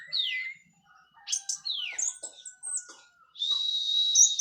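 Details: Song of an orange-headed thrush of the Cililin local strain after molting, teler style: a falling whistle, short chirps and a long steady low whistle, ending in a sustained buzzy high note.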